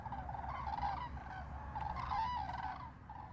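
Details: A flock of common cranes (Grus grus) flying in autumn over the Tiétar river gives loud, rolling, bugling trumpeting calls that overlap continuously, with a low steady rumble of wind beneath.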